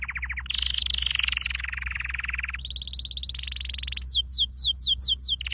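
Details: Canary in a training song, changing quickly between rapid high trills, a dense rolling buzz and a faster chopped series, ending with a sequence of quick, sharply rising, slurred notes.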